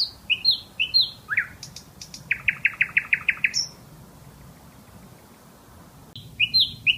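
A bulbul sings bright, slurred downward whistles and a quick rattling run of chirps, then pauses a few seconds before resuming its liquid phrases.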